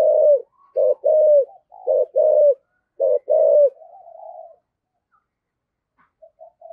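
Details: Spotted dove lure bird in the 'thổ' style: several hollow coo phrases, short note then longer falling coo, easing into a quieter trailing coo and then faint soft notes near the end.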